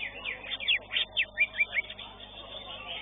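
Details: Greater green leafbird singing at a bird-song competition arena, Warrior B class, session 13: a quick run of about six loud sweeping whistled notes within a second and a half, then fading, over a low background murmur.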